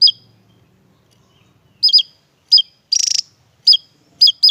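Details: Javan tesia, kept as a tutor bird for songbird training; crisp high chirps given singly and in quick pairs, broken midway by a short harsh buzzy rattle, with little else audible.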